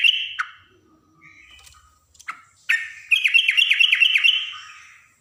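A yellow-vented bulbul gives a few bright, scattered chirps, then a quick bubbly run of five or six high, falling notes.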